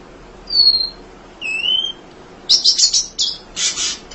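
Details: Emprit munia, a training recording for other songbirds: two thin drawn-out whistles, one falling and one lower and rising, followed by a quick burst of buzzy chatter notes.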